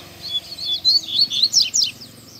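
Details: In a town square, a double-collared seedeater pours out a vigorous high phrase of chirps and steeply falling whistled slurs, tightly packed and lasting about two seconds.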